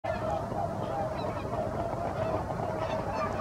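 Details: A flock of swans at Otomo Pond, Japan, in the early morning of 12 November 2022, leaving for their feeding grounds: a dense, continuous chorus of overlapping honking calls over a steady rumbling background.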